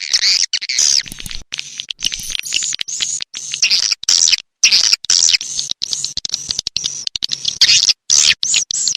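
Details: Rainy-season swiftlet calls: choppy bursts of high, thin chirping twitters, broken by brief silent gaps, repeated throughout.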